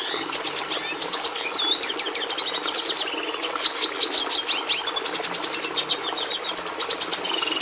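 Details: Long, dense Red siskin song, a continuous high chatter of rapid trills, buzzy rattles and whistled slurs that shift in pitch and pattern without pause.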